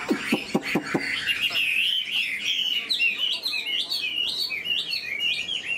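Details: Chinese hwamei, an old bird caught in the wild, noted for rapid delivery. Several sharp clicks open the clip, then a steady stream of bright, warbling whistles swoops up and down in quick succession.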